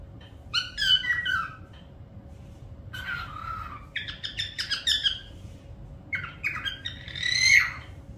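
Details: Parrot giving bursts of harsh, chattering notes with some whistled tones, in three groups separated by short pauses, over a faint steady background hum.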